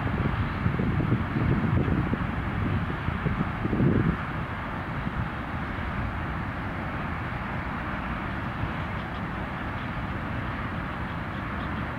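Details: Steady low rumble of wind or distant traffic, louder in the first four seconds, with no clear animal calls.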